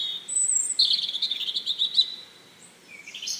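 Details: Bird chirping with thin high whistled notes, a sweeping squeaky phrase followed by a run of quick chirps, then a short rising whistle after a brief pause.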